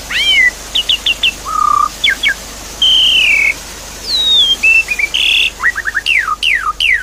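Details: Javan pied starling singing as a lure for a silent bird: rich mix of rising and falling whistles, a long wavering note, short chips, and sharp downward sweeps near the end, set against steady flowing water.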